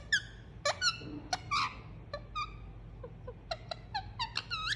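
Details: Cuddled pet Indian ringneck parakeet giving soothing sounds: scattered short harmonic chirps and a few downslurred squeaks, irregularly spaced, with a quiet room hum beneath.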